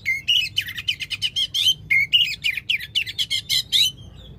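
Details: Oriental magpie-robin pouring out quick, rattling runs of clipped chirps in two bursts, then fading; a loud song played to wake a silent magpie-robin into singing.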